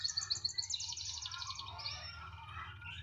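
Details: Rapid rolling trill from a canary said to sing anywhere it is placed, starting with bright repeated pips, then sliding into a softer descending warble, with a noticeable low hum underneath.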